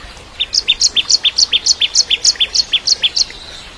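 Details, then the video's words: Bar-winged prinia, recorded as training song for shamas, giving a steady alternating series of high and lower sharp chips, about three and a half per second, clean and loud against a quiet background. "Masteran Cimblek Kristal Gacor (masteran murai Batu trotol)"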